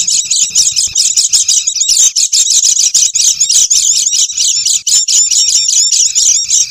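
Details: Excited, noisy calling of Oriental white-eye used to attract wild birds: a steady stream of rapid, squeaky twittering notes, dense and overlapping, with a few thin clear whistles threaded through.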